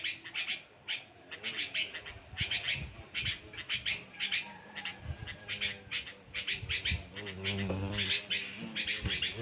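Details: Bulbul giving repeated short chirps in loose clusters roughly every second, sharp and high-pitched, over a faint continuous background hum.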